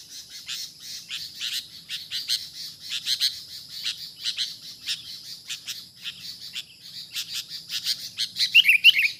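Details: Wild sooty-headed bulbul caught up in a trapping session, giving a dense, fast series of sharp high chirps repeated several times a second, ending with a few louder, brighter slurred notes, while a faint high hum runs underneath.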